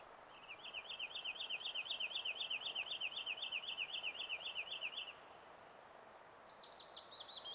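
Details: Wood sandpiper calling in Kuusamo, Finland, on 24 May 2019: a fast, steady trill of sharp high notes, about four per second for five seconds, followed by a thinner descending series of chipping notes.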